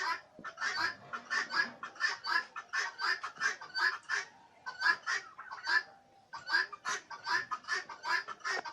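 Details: Turkeys on a farm in Bangladesh, many birds calling together in a dense run of short, harsh, nasal notes repeated rapidly for the whole stretch with barely a pause.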